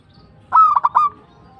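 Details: Local zebra dove song: a quick rising start and then three or four clipped cooing pulses at a steady pitch, ending in a fading hum.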